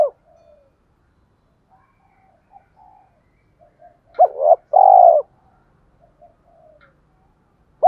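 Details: Decoy spotted dove cooing in the thổ pha voice style to attract wild doves to come and fight: mostly faint soft murmurs, then one loud phrase of a stuttered note and a long rounded coo, and another coo beginning at the end.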